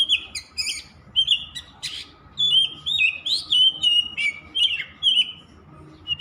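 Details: Nonstop song of an Oriental magpie-robin: loud, varied whistles mixed with short chirps and trills, delivered in quick bursts with brief gaps, over a faint steady hum.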